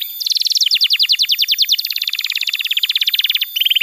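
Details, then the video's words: Canary song intended as a lure for young canaries and as therapy for silent birds: continuous rapid trills of fast descending notes, about three to four per second and then faster, ending in a low buzzy roll. "Pancingan Suara Kenari Gacor‼️ Ampuh untuk Masteran Kenari Muda dan Terapi Kenari Macet Bunyi"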